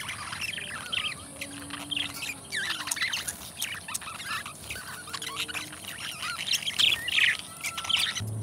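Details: Busy, nonstop twittering from a pair of pet budgerigars, squawky notes overlapping with chirps and occasional faint whistles.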